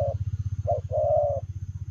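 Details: Spotted dove giving Lèo rồng style coos while on the move: a short clipped note, then a short note followed by a drawn-out, slightly rough coo. A continuous low throbbing hum runs underneath.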